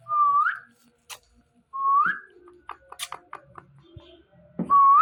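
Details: Pet Indian ringneck parrot giving clear, rising whistles repeated about every two seconds, with soft clicks and small chattering sounds between them, indoors.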